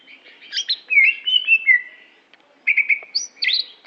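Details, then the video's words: Greater green leafbird from Aceh, noted for performance, giving a slurred descending whistle sequence followed after a brief gap by rapid high chirps and rising squeaky notes, clear against a quiet background. "Cucak Hijo Aceh Prestasi"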